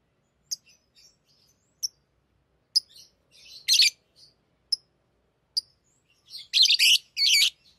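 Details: Pet lovebirds playing with rings give isolated sharp high chirps at intervals, building at the end into loud buzzy, rasping chatter.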